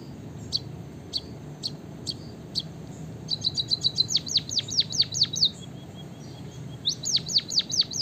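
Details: Emprit kaji, the white-headed munia, begins with spaced single high ticks, then breaks into fast cascades of high, down-swept notes, with a soft piping pause between the two bursts.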